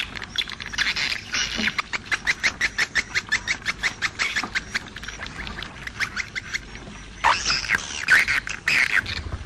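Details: Edible-nest swiftlet calls in the 'jaguar' style: rapid, regularly pulsed dry chirps and clicks, roughly one per second-fraction, forming a steady chattering train, with a denser buzzy burst near the end.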